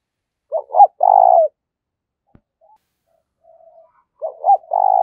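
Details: Fighting call of a Spotted dove decoy bird, thổ voice style. A phrase of two short hoots runs into a long vibrating coo. Soft faint notes follow, then the next phrase begins.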